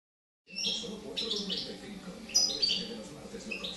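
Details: Young European goldfinch hatched in 2013, recorded in Girona, beginning to sing: bursts of high, bright twittering notes and short chirps run almost without pause, with a low murmur underneath.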